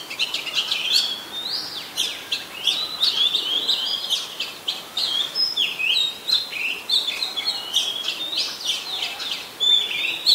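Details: Oriental magpie-robin, a very common resident, singing in Ubon Ratchathani, Thailand, on 26 December 2020, recorded with a Nikon P1000: varied high whistled phrases with rising and falling slurs and sharp chips, nearly continuous.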